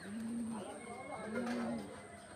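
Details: Pigeons kept for flying give two low, drawn-out cooing notes about a second apart, over steady background hiss and a faint high tone.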